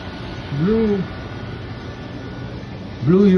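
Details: A male pet macaw, calling late at night to impress his female, gives two low, hoarse, arching calls that rise then fall, about two and a half seconds apart, over a steady indoor hum.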